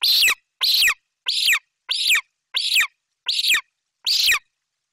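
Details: ['Golden eagle youngster dropping down in the nest tree in Bucovina, 28 July 2021, to claim a Eurasian magpie its mother brought: seven loud, raspy, descending screams about two-thirds of a second apart, in a quiet setting.']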